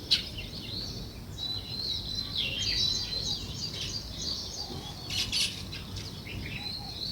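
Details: Sparrows, also called weaver birds, chirping outdoors: a steady wash of high twittering and thin slurred notes from several birds, fairly soft, over a low rumbling background.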